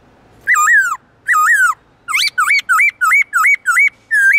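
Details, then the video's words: Black-throated laughingthrush in its forest-voice song, with loud, clear, long tones. Two slurred, falling whistles are followed by a steady string of seven short, rising-then-dipping whistled notes in quick succession. "Khướu bạc má HÓT GIỌNG RỪNG tone dài to rõ cực hay"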